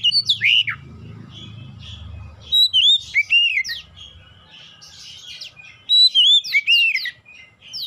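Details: Lure song of an oriental magpie-robin, meant to make raw birds start singing readily: bursts of bright whistled, slurred and twisting notes with high sharp chips, separated by pauses, a low hum at the start.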